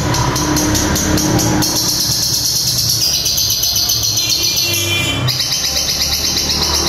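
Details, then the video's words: A long-tailed shrike imitates a lovebird with a long, rapid, high chattering trill that runs almost without pause, over steady background music and hum. "Cendet suara Lovebird ngekek panjang"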